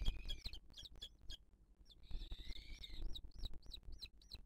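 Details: Booted eagle nest in 2023, the female feeding her chick: high wheezing calls and a drawn-out buzzy note, followed by a quick run of short, high, looping notes, over low rumbling noise.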